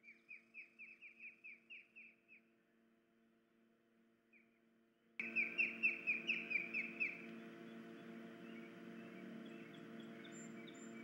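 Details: Osprey at a nest with chicks, its mate's injured leg preventing feeding, July 2019: a fading series of whistled chirps, a few seconds of quiet, then a louder burst of rapid chirps over rushing, hissing noise.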